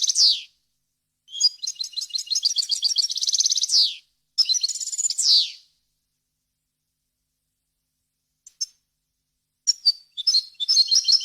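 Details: European goldfinch song, clean tutoring material for young birds and hybrids: a long buzzy trill of fast repeated notes, then a twittering phrase with falling slurs, a long silence, and scattered high chirps resuming.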